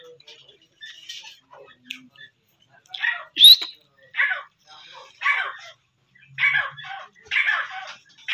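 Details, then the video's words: Grey francolin (teetar) being trained, giving a run of loud, harsh, grating notes, roughly one each second, with one sharp rising squeal partway through. "grey francolin suond | teetar awaaz | teetar voice | teetar suond"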